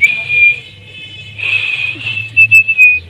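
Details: Rose-ringed parakeet kept in a cage as a talking pet: long, steady high whistles, then a quick run of four short, bright whistled notes at the end, with faint low hum beneath.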